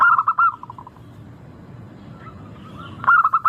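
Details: Melodious local zebra dove song played to make birds start singing: a quick rolling coo phrase that fades, a quiet pause, then another bright burst of rapid notes.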